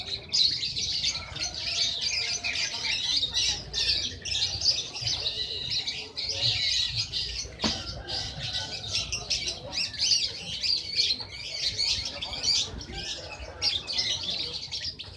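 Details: Sunbird known as 'kolibri ninja', a national champion, sings a long, unbroken stream of high, rapid, scratchy twittering and squeaks with a steady rhythm, offered as a master song for training songbirds.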